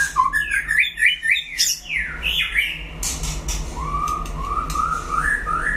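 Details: White-rumped shama competing in a solo singing contest: energetic zigzagging whistles and trills open, followed by a slower string of pure rising whistled notes, with a low hum in the background.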